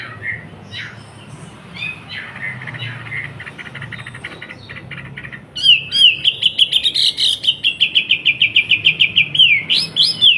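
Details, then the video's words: Wambi song from a caged bird in Surabaya, used as tutor material for young bulbuls: faint scattered chirps first, then a loud, fast series of sharp, repeated whistled notes with quick upward flicks. "MASTERI TRUCUKAN & BURUNG KICAUAN MU DENGAN SUARA BURUNG WAMBI GACOR"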